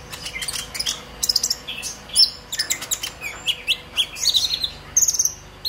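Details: Purple-throated sunbird, a brown-breasted bird just out of juvenile spotting and learning to sing, in agitated 'ngobra emosi' chatter used to lure young sunbirds into singing: thin, high, scattered chirps and short twittering bursts.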